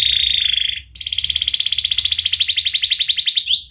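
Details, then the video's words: Canary song for teaching young canaries to sing: a steady fast trill, a brief pause, then a long loud rolling buzzy trill ending in an upward slur. "kenari gacor panjang Cuit Cuit EMOSI, Pancingan Kenari Paud Belajar Bunyi"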